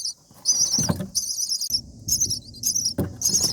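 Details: Common myna chicks, seven days old, begging while a parent feeds them and fights nest bugs: shrill, raspy hissing bursts mixed with thumps and scuffling in the nest.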